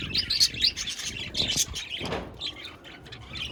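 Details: Budgerigars recorded 1 November 2023 give bursts of shrill chirps and scratchy warbles, loud for the first second and a half, then softer, scattered twittering.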